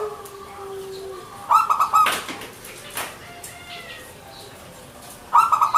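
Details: Zebra dove (perkutut), local Indonesian bird, in manggung song: two short bursts of rapid pulsed trilling notes separated by a quieter stretch with faint clicks and a thin whistle.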